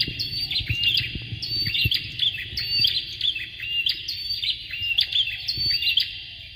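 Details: A male and a female bar-winged prinia give a lively run of high, clipped chirps and rising flicks, repeated in rapid phrases roughly once a second. The song is intended to tutor and lure would-be champion birds, with faint low background knocks.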